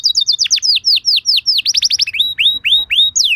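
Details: Canary song used as a lure recording to prompt other canaries to sing back: bright, high whistled notes, each sliding downward, delivered in quick repeated series, then clipped chirps and arcing phrases at a steady pace.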